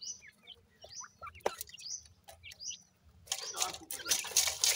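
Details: Grey francolin (teetar) chicks calling: a series of thin, high, downslurred peeps repeated roughly twice a second, followed after about three seconds by loud broad rustling noise.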